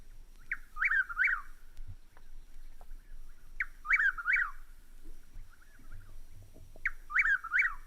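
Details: A Chuck-will's-widow (Antrostomus carolinensis) from the vintage birdsong LP "Songs of Eastern Birds", played over speakers, sings its rolling, whistled 'chuck-will's-WID-ow' about every three seconds over a soft background hum.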